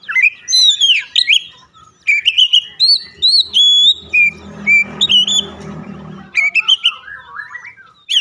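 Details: Song of an Oriental magpie-robin used to set off singing: clear whistled notes and downslurs in varied phrases, with a low rumbling murmur underneath in the middle section.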